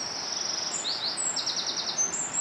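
A treecreeper gives very high, thin sibilant notes, then a quick run of about five short tinny notes, over steady background hiss.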